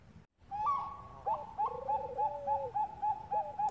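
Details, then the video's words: Zebra dove, Bangkok type (perkutut bangkok), female calling male in a lure recording: after a brief gap, a bright tonal note rises into a long purring trill beneath steady repeated coo notes. "PANCINGAN PERKUTUT BANGKOK GACOR SUPER AMPUH BIKIN YANG LAIN PADA BUNYI"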